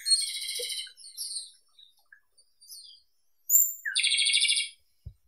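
Japanese robin song: two phrases, each opening with a high thin whistle and ending in a fast, loud, rattling trill, about three seconds apart.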